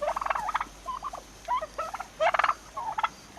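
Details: Young turkeys almost six months old give rapid, stuttering gobble bursts, each a quick run of rattling pulses, some rising, repeated in several bouts over a few seconds.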